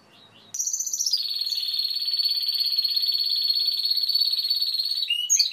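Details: Timbrado canary song: after a brief quiet start, a bright high trill drops in pitch and settles into one long, fast, even rolling tour held for about four seconds, then breaks into short final notes.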